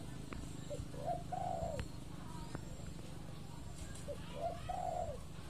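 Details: Spotted doves from a tame pair, roughly six to seven months old, kept nearly a year and sometimes released into the wild; two mellow coo phrases, a short lead note followed by a drawn-out rolling coo, over a constant low background rumble.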